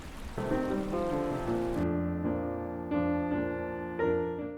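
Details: Slow piano music, gentle chords and single notes, with no animal sound.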